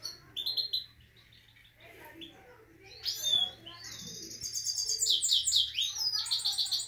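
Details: Himalayan goldfinch kept with a canary, singing in bursts of fast twittering and buzzy trills at high pitch, separated by a quiet gap, with faint low hum behind.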